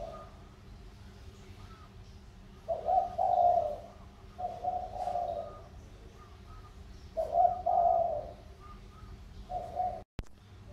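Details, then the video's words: Trained decoy spotted dove, Sóc Trăng strain, field-bred and calling vigorously: low throaty coos in pairs, short then long, spaced a few seconds apart with quieter faint notes between, ending in a brief click. "Cu gáy mồi rất hăng"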